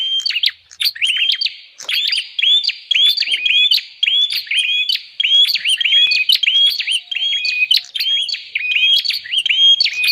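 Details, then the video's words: Bar-winged prinia calls used as a lure for wild birds: dense, rapid strings of short whistled notes, each a flat tone ending in an upward flick, packed with sharp clicks, continuing almost without pause. "suara pikat burung prenjak"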